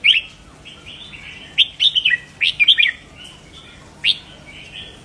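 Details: Red-whiskered bulbul song used to stimulate caged birds: warbled whistles with quick rising-and-falling notes, a dense burst of phrases mid-clip and a single sharp note toward the end.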